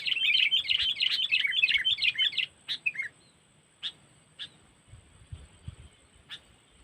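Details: Sooty-headed bulbul cengkeram lure call used for trapping, Lampung style: a dense burst of rapid bubbly chirps for two and a half seconds, then scattered single sharp notes with long pauses between them.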